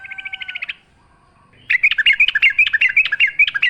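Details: Yellow-vented bulbul singing a lively, wild-style song used as a lure, with a rapid trill of even notes, a pause, then a fast bubbling run of liquid warbles.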